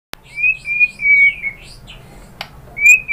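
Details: White-rumped shama song used to provoke other birds into singing: clear whistled notes held near one pitch, a sliding note, then a sharp click and a final high whistle.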